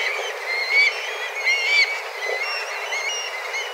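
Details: Black kites gathered by the dozens, calling fiercely as they fly in search of food; drawn-out whistled mews, slightly rising then falling, overlapping throughout.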